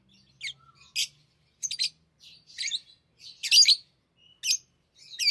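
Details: Tamed lovebirds at play with rings utter a broken series of sharp, high chirps and scratchy squeaks, irregular in spacing, one louder rasping burst midway, over a quiet room.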